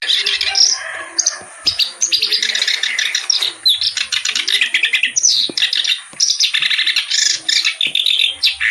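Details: Loud, energetic reed warbler song, the kerak basi: long unbroken torrent of harsh, churring and chattering notes mixed with sharper whistled elements, very fast throughout.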